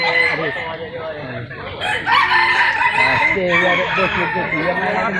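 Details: Red junglefowl crowing in a contest where the bird giving the most crows within a judge-timed period wins; several drawn-out, arching crows overlap one another against steady crowd murmur and background noise.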